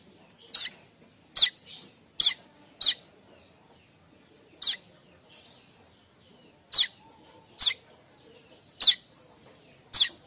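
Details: Streaked weaver chattering call, used to lure weavers, given in the morning: sharp, high, clipped chip notes repeated at irregular intervals of about one second, with quiet pauses and faint background between them.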